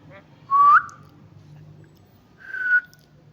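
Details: A pet Indian ringneck parrot, prompted by its owner to whistle, gives two clear whistled notes about two seconds apart, the first sliding upward and the second steadier, over a low background hum.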